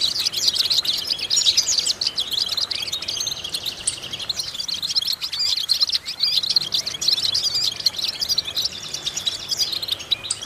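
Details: Goldfinch song for vocal training: a long, steady high twitter of rapid chirps and metallic trills, continuous and energetic, with a slight dip in intensity midway before resuming.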